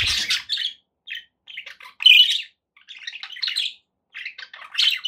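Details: Budgies kept as pets make scattered bursts of chirps and buzzy chatter separated by short silences, a louder squeaky phrase near the middle.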